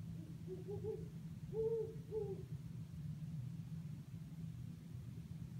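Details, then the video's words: Great horned owl calling in eucalyptus trees at Sherman Island, California, heard from a window: several low, muffled hoots in a quick rhythmic run, then silence apart from a constant low hum and rumble. "Great Horned Owl hooting at Sherman Island."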